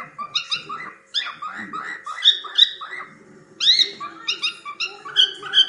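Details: Cockatiel chattering while playing: clusters of quick, harmonic chirps, several sharp rising squeals, and a pause before a final burst of bright notes, with a soft background hum.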